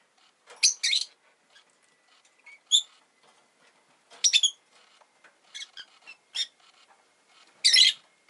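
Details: Rosy-faced lovebird kept as a pet in a home where an egg has been laid, with faint street noise behind; sharp high chirps and squeaky bursts come in irregular clusters, with short pauses between bright, scratchy notes.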